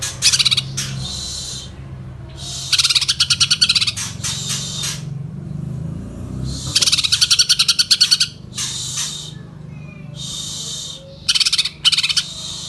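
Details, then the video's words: Greater green leafbird singing loudly in bursts of rapid, buzzy trills and chattering phrases, each lasting about a second, separated by pauses with a low background hum. "CUCAK HIJAU GACOR"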